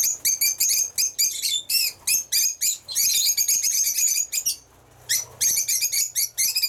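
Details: Pet lovebirds squeaking and twittering rapidly, choppy shrill bursts and longer piercing chattering runs, a short quiet gap near the end before the chatter resumes.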